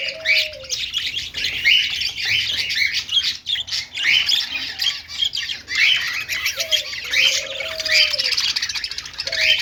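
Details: Several budgerigars chattering happily at play, continuous scratchy, high warbling and chirps throughout, with a short lower whistled tone heard at the start and again near seven seconds.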